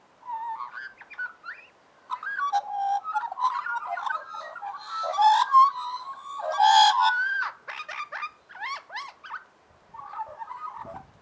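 An Australian magpie warbles a rich, varied run of fluting notes, gurgles and harsh chortles in quick irregular phrases, with brief pauses between bursts.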